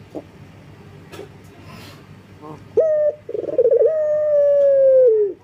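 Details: Breeding male local collared dove calling for a female, after some faint background taps: a single sharp coo, then a fluttering rolled phrase flowing into a sustained tone that gently sinks and fades.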